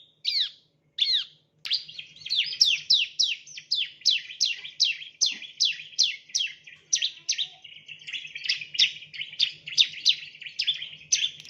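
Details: Bar-winged prinia (ciblek, Prinia familiaris), recorded for use as a lure when training songbirds: two separate sharp opening notes, then a rapid run of high, downward-slurred chirps, roughly four each second, over a faint low hum.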